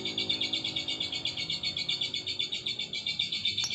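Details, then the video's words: A lovebird sings a continuous high, fast trill of rapidly repeated chattering notes, about four per second, steady for the whole stretch, with faint low background hum. "Burung Lovebird Mangasi"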